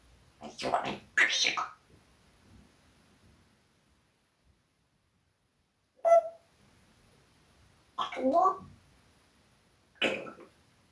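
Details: Parrot talking, swearing at a cat indoors: a cluster of harsh, speech-like syllables early on, then short separate word-like bursts after long pauses, with a quiet room between them.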